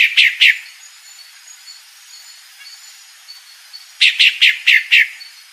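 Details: Three chirps open the recording, then after a long quiet pause a calling female pale-breasted thrush delivers five clear, evenly spaced, slightly falling notes.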